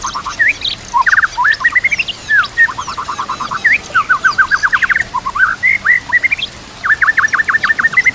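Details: Training song of a white-rumped shama, used to coach young birds into champion singers, with nature sounds and water: a busy string of quick chirp series, sharp notes and slurred whistles without pause.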